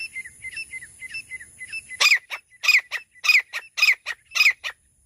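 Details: Francolin (teetar) in a bush habitat, in a hunting context. Soft, down-bending chirps give way to loud, harsh, rhythmic calls repeated about twice a second.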